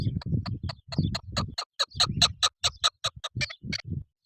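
A chukar gives a quick run of harsh, clucking chuk notes, about two or three a second, over low rumbling background noise.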